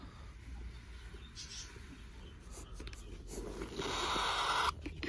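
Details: Four-week-old cockatiel chicks make soft, raspy, hissing noises that swell into a louder wheezy burst.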